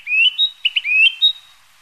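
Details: Passage-migrant Narcissus flycatcher pausing on migration, delivering a rapid string of bright whistled notes, mostly rising slurs with short clipped notes between, over about one and a half seconds. The setting is quiet.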